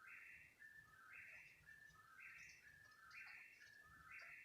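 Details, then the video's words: Unidentified bird calling for about thirty minutes at 3 in the morning: a repeated two-part whistled phrase, a flat note then a lower dip and a higher bright note, about once per second, steady and insistent. "What kind of bird makes this noise?"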